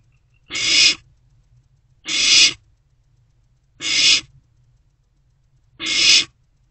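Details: Owlet in a nest box at night, about 1:22 to 1:30 am on 16 March 2024, swallowing a newly delivered rodent; four harsh, broad hissing screeches, each about half a second, come roughly every one and a half seconds.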